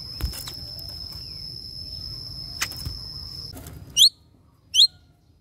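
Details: Greater racket-tailed drongo calling the flock; two loud, sharp, downslurred metallic notes almost a second apart follow a stretch of hum and clicks, then quiet.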